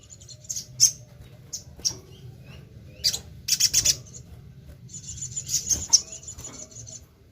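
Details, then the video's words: Crimson sunbird, locally sogon or sogok ontong, on a lure recording: isolated piercing high chirps, a short cluster of rapid notes, then a sustained thin high trill for well over a second, with faint low background hum. "PANCINGAN SUARA BURUNG SOGOK ONTONG"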